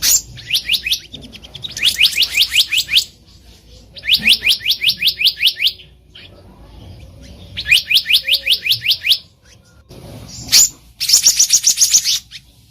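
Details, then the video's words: Black-naped monarch in the wild, used as a lure for trapping: well-spaced bursts of about eight to ten high, rapid, even notes, each burst roughly one second long. "SUARA ASLI BURUNG KEHICAP RANTING DI ALAM LIAR EDISI KHUSUS PIKAT"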